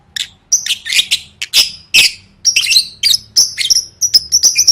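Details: Lovebird song used in contest training: rapid, almost continuous high chattering with many short whistled notes and squeaky trills, lively and busy.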